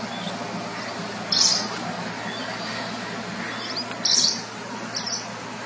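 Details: Forest wagtail at Nalsarovar bird sanctuary, Gujarat, gives short, sharp, high-pitched chirps, two louder ones about three seconds apart with fainter notes after, over a steady low hum and rustling.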